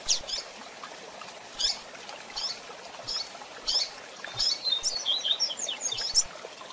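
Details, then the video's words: Female coleiro (double-collared seedeater, tui-tui type) calling to excite the male: high, clipped chips repeated at uneven intervals, building into a quick twittering run near the end, with a continuous hiss underneath. "Coleiro Tui Tui Com Piado de Fêmea Para Foguear e Deixar Seu Coleiro Doido!!!"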